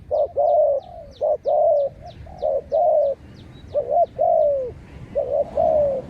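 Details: Spotted dove calling during decoy trapping of wild birds, Malaysian-line decoy: strong coos in groups, short notes leading into longer falling ones, with a faint high rhythmic ticking running throughout.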